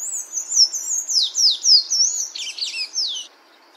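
A Sayaca Tanager sings a high, squeaky run of rapid twittering notes lasting about three seconds, ending in a rougher tumbling flourish.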